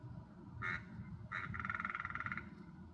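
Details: Hooded crow in a Dublin backyard giving one of its unusual, much quieter vocalizations: two short nasal notes, then a rapid rattling, pulsed phrase over a low background hum.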